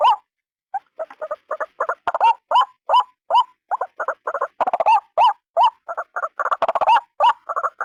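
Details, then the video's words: Single white-breasted waterhen call used as a lure: a dense, near-continuous run of harsh nasal notes with interleaved rising, wavering croaks, delivered in rapid stuttering bursts throughout. "SUARA BURUNG RUAK RUAK TUNGGAL"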